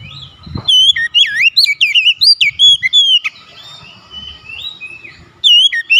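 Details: Oriental magpie-robin singing in an agitated state after hearing a rival, unloading its full repertoire: loud, rapid, high whistled notes with sharp upward and downward sweeps, chattering bursts between phrases, a brief pause mid-song, then resuming.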